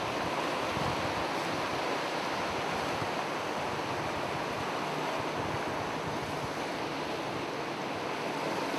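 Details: Steady roar of breaking surf with wind buffeting the microphone, and no animal voice heard.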